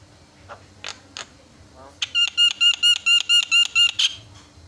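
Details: Javan myna lure song meant to provoke rival mynas into answering: a few short squeaks, then a fast regular run of about ten loud, even, ringing harmonic notes, ending in a harsh burst.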